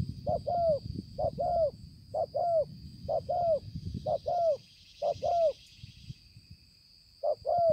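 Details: Spotted dove recorded 5/9/2020 repeating quick doubled coo notes, each pair rising then dropping, roughly once a second, pausing near the end; a continuous high-pitched drone and low rumbling are also heard.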